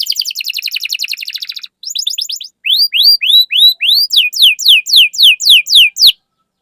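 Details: Singing canary, used as a lure to make other canaries sing: an opening rapid buzzy trill, then a short series of faster notes, then loud, rising-and-falling whistled slurs repeated in an even rhythm.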